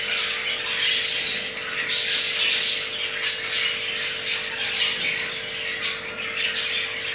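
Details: Mating captive jumbo crested budgerigar male, his pair with two eggs; rasping warbled chatter with brief brighter squeaks, rising and falling in loudness, steady hum in the background.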